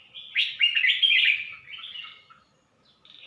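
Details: Red-whiskered bulbul at Suan Phueng, Ratchaburi, delivering a loud, bubbling warbled phrase that fades into softer notes, followed after a short pause by a single brief note.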